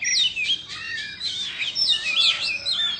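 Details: Indonesian-type Oriental magpie-robin, a kept bird, singing while dancing with its tail fanned: rich, clear whistled phrases that sweep up and down, with quick slurred notes and short trills in steady succession, no other sounds.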